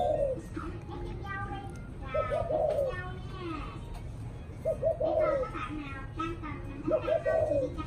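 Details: Spotted dove cooing in the evening: about every two and a half seconds a phrase of short clipped notes running into a longer falling coo, mixed with overlapping human voices and children's chatter.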